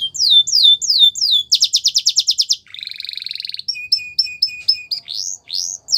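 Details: Canary training song for teaching young canaries, Russian and Belgian styles: quick falling whistles, a rapid buzzy rattle, a rolling trill, then paired short notes and rising swoops.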